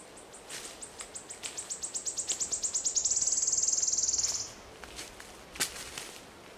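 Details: Wood Warbler in Poland on 22 May 2013 sings high, thin ticking notes that speed up into a dry, shivering trill lasting about four seconds, followed by a single sharp click.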